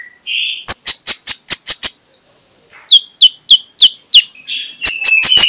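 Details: Morning magpie-robin song used as a lure: a whistle, then a rapid even series of about seven sharp chip notes, a pause, another chipping run, and closing whistled phrases.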